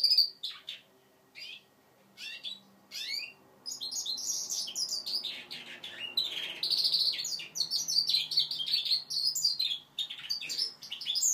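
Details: A five-month-old goldfinch mule learning to sing gives a rambling subsong of high twittering notes and downward-sweeping chirps, with short pauses early on, then a denser, continuous warble over a faint low hum indoors.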